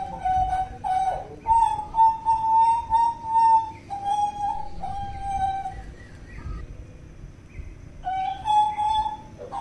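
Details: A Papuan butcherbird sings pure whistles in a rhythmic sequence, several held notes pulsing in loudness, then a brief pause before the fluty phrase resumes.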